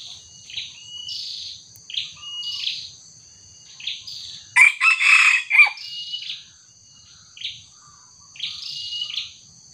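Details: Red junglefowl crowing during a trapping session, where a small decoy bird is set against a young wild junglefowl. One loud, harsh, broken crow lasts about a second. Short, high chirps from other birds repeat before and after it, over a steady high insect whine.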